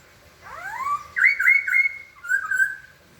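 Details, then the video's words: A white-crested laughingthrush gives a loud, rising whistled slur, then bright warbling notes on a steady pitch and a shorter, lower wavering whistle at the end. "kicau burung poksay"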